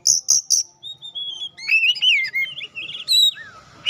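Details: Oriental magpie-robin, a kacer pastol played to stir other magpie-robins into song: three piercing high notes open a varied, fluty warble of rising and falling whistles and trills, clean and close.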